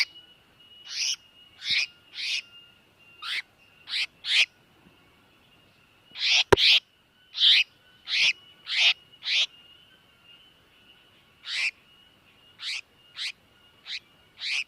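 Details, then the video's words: Tiểu mi đất bird distress call, used to lure birds into traps: short rasping scratchy notes repeated in bursts, roughly two per second, with a pause midway and a thin constant high tone behind. "Tiếng chim tiểu mi đất kêu cứu"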